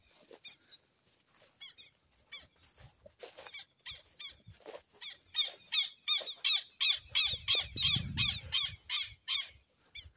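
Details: Amazon southern lapwing starting softly with scattered notes, then building into a loud, regular series of harsh hooked calls, nearly three per second, with a brief low rumble.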